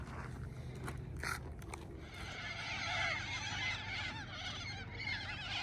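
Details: A flock of sulphur-crested cockatoos loading a eucalyptus tree near Oodnadatta in the Australian outback screeches in a dense, harsh, overlapping chorus, with a low engine hum and a man's voice at the start.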